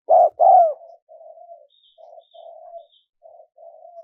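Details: Spotted dove, recorded as a lure for wild doves: one loud paired coo, then a series of soft, low, drawn-out murmuring coos trailing off. Faint high chirps are also present.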